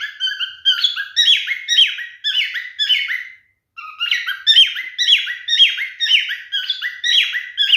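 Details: Male pet cockatiel singing to a female during mating behaviour: loud whistled and squawky phrases with sliding notes, about two per second, a brief pause midway, then the rapid phrases resume.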